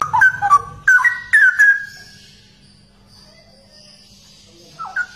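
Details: Straw-headed bulbul, called cucak rowo, singing bursts of rich liquid whistled notes around the middle pitch range, slurring down and up, then a pause with faint background hiss and a short whistled phrase at the end.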